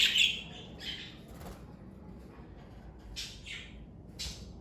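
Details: Chirps from a pet parakeet family: a loud scratchy squawk opens, followed by sparse, thin chirps and a few short bursts of chatter.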